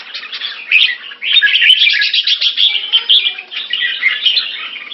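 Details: Caged red-whiskered bulbul of the ivory type, in molt, recorded 4 June 2017 in Singapore; bright warbled phrases of varied whistled notes, with a brief pause near the second and a faint low hum beneath.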